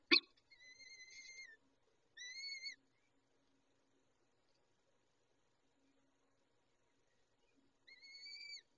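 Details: Peregrine falcon at the feeding site: a sharp knock, then two harmonic wailing calls, a long quiet pause, and a final similar wail near the end.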